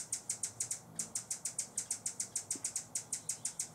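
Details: Buff-bellied hummingbird guarding a feeder in San Benito, Texas, in October: a rapid series of sharp, high dry chips, about five per second with a short pause near the start, over faint background hum.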